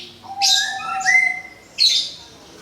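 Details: Orange-headed thrush just out of its moult, giving a sparse phrase: a long low whistle, then a brighter rising whistle, each topped by buzzy high notes, with a pause before a final scratchy burst.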